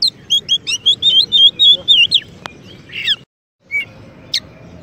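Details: Champion kacer (Oriental magpie-robin) sings for training and provoking white-rumped shamas: evenly repeated whistled notes about four per second, then a harsh buzzy note, a brief gap and scattered single chirps.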